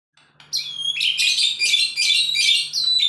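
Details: Agitated male White-rumped shama pouring out a dense, continuous stream of high buzzy and whistled notes, phrases running together with barely a pause.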